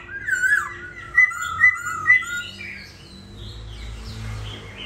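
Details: Hanoi, Vietnam, a molting caged laughingthrush at home: a wavering whistle opens, followed by three bright, evenly spaced whistled notes, then quieter rambling song fading out.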